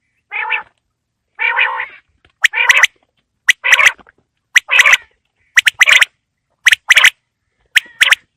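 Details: Quail calling on a winter evening: a few harsh nasal bursts, then a run of sharp clicking notes each followed by a short buzzy burst, repeated about once a second.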